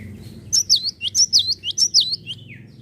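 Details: Java sparrow singing vigorously: a rhythmic chain of high, bell-like, sliding notes, about nine in quick succession, closing with a lower falling slur over a soft low hum.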